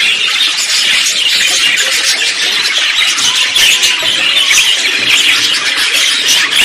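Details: Budgerigar song from a mix of simple songs, contact calls and courtship songs: dense, unbroken high warbling chatter with squeaky, overlapping notes throughout.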